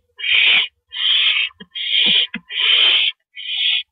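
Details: At 8:45 PM on April 9, 2012, a male barn owl brings prey to the nest. Five harsh, wheezy screeches in under four seconds, fairly regular, with small clicks and taps between them.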